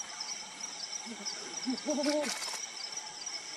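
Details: Brown wood owl, a bird of lowland and dense forest, giving a short burst of low hoots: a brief single note, then a quick rising-falling hooted phrase, over a steady high insect hum with a few clicks.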